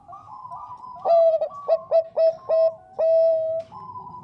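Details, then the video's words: Female zebra dove of the Bangkok type calling the male: quiet background cooing, then a bright clear phrase of rapid clipped notes ending in a drawn-out steady coo, and softer coos resuming. "PERKUTUT BANGKOK GACOR SUARA JERNIH MENGUNDANG BUNYI"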